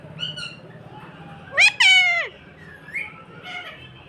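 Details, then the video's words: Parrot kept as a pet, heard indoors: soft short chirps, then a loud, harsh squawk sweeping steeply downward with rich overtones, followed by a few quieter chirps against a faint steady hum. "Chirping birds"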